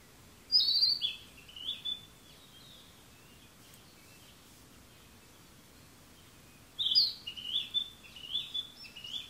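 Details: Bird song recorded on June 28: two bright high whistled phrases, each starting with a sharp note and trailing into warbled notes, separated by several seconds of quiet background hiss.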